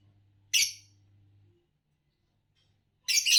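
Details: Fischer's lovebird making two loud, rasping shrieks about two and a half seconds apart, the first fading over a faint low hum, the second abrupt and scratchy.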